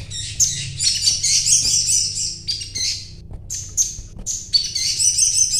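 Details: Little spiderhunter (sogon) singing busily: dense, fast, high-pitched twittering bursts with rapid chattering notes, broken by short pauses, over a steady low hum.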